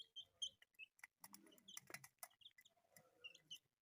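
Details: Colourful pet chicks with scattered thin, high peeps, some sharply rising, between clusters of clicks and soft scratching sounds.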